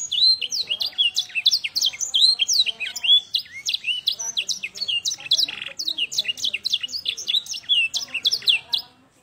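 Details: A young Yorkshire canary practises blackthroat-style song: a fast, unbroken stream of high, bright chirps and rising and falling whistles, with faint chatter underneath.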